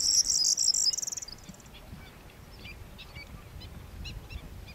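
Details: Corn bunting at Fuente de Piedra, Spain, in April 2011: a loud, high, glittering jangle in the first second, trailing off into fading clicks, followed by scattered faint ticking notes against quiet rural background.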